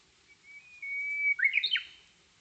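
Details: On a rainy day beneath hydrangea blossoms, a Japanese bush warbler gives a drawn-out pure whistle that swells in loudness, then ends in a rapid, tumbling cluster of warbled notes jumping up and down in pitch.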